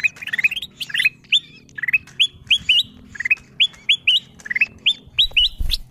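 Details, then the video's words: Lure call of ruby-throated bulbul for wild birds: crisp, upslurred whistles in short groups, repeated roughly twice a second, over a low rumbling background. "Suara pikat kutilang emas memanggil burung liar paling ampuh"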